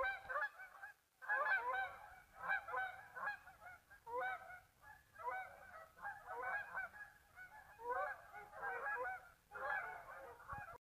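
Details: Geese flying out from a marsh toward afternoon feeding after a midday rest; nasal honks come in bursts of several birds calling together, separated by short quiet gaps, about ten bursts in a row.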